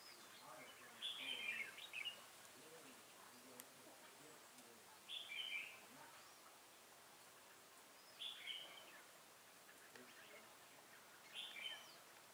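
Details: Red-whiskered bulbul used as a decoy at a trap to call wild birds in, recorded November 15, 2017: short bright warbled phrases about three seconds apart, four bursts against quiet outdoor background.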